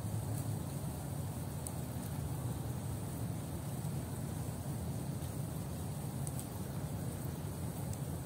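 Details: Constant low engine-like rumble and hiss, with a few faint high ticks and no calls.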